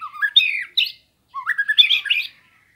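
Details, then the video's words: White-rumped shama, kept as a master recording for training songbirds, giving two short bursts of rising, slurred whistles with harsher squawky notes, separated by a brief pause. "Suara Burung Murai Batu Sambo Bahan Pancingan Lawan Materi Masteran Gacor"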